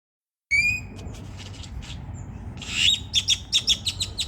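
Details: A grackle at a park in Denton making strange noises: a thin rising whistle, then scratchy squeaks and a rapid run of sharp metallic clicks, about six in a second, over low traffic rumble.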